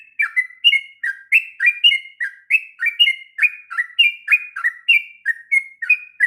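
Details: Long, energetic ngropel song from a sooty-headed bulbul, used to tutor young birds; a steady stream of paired whistled notes, one high then one lower, repeated without pause.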